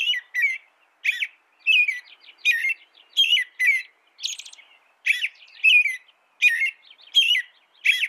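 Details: American robin singing: short warbled phrases in quick succession, each a rising-falling caroling note with thin high squeaky additions, about one phrase every half second with brief gaps.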